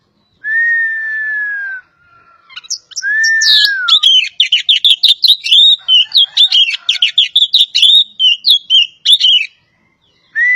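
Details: Oriental magpie-robin, poci variety from Java, singing: two long clear whistles, the first level and the second arching, then a rapid run of sharp repeated chips and whistled notes, ending in a short rising whistle.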